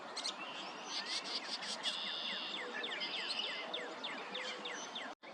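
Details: Mockingbird singing at sunset, with cardinals also present: quick runs of whistled, downslurred notes repeated several times a second, mixed with buzzy phrases, over a steady hiss of insect or environmental noise.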